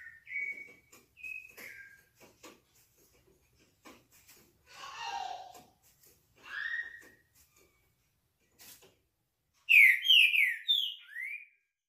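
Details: Green-winged saltator in classic song: scattered soft whistles and a lower slurred note amid clicks and rustles, ending in a loud burst of rapid descending whistled notes.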